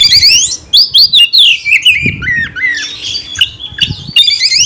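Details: Oriental magpie-robin in excited song aimed at provoking rivals: harsh squawky notes and quick rising-falling slurs in a fast, tumbling series, with faint low thumps beneath.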